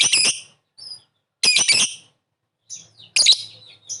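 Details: Lovebird calling to lure a fast reply, grating pulsed chirps in short bursts with faint thin whistled notes in the gaps.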